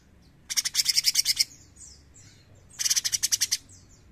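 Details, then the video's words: Bulbul (cucak cungkok) in lively song, giving two dry chattering bursts of about ten quick pulses each. Faint slurred whistles sound between the bursts. "CUCAK CUNGKOK GACOR NEMBAK GURIH!"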